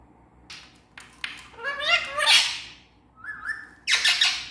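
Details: Parrot mimicking speech: a few clicks, then a voiced, harmonic phrase of several syllables, a wavy two-part whistle, and a final raspy squawk-like syllable.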